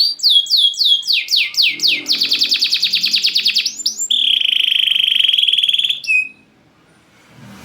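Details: Loud champion canary singing in its cage as a lure and tutor for slack singers: repeated descending sweeps, a quick buzzy trill, then a long steady high pure tone that ends before quiet.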